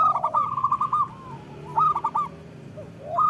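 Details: Local zebra doves cooing, used as a lure for lazy doves: rolling, stuttered coo trills in two bursts with a soft gap between, several birds overlapping.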